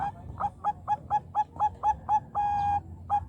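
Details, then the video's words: Zebra dove of the Bangkok type replying to another bird with a brisk series of short, mellow cooing notes, about three a second, broken by one long drawn-out coo before a final note. "perkutut bangkok nutut langsung nyaut"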